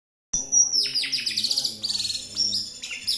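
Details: White-rumped shama (murai) song used as a lure to prompt another bird to sing: rich, loud whistled phrases with sharp downward sweeps and quick trilled notes, clean and continuous after a brief silence.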